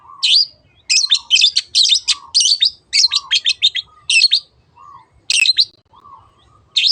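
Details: Long-tailed shrike singing in the "teot teot" style, played to prompt other birds to sing: bursts of scratchy, high chattered phrases separated by short pauses, with soft lower whistled notes between bursts.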